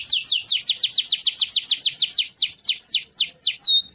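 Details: Canary rolling song for training other birds: a rapid even series of sharp downward-swept whistles, about five per second, slowing near the end into a level whistle.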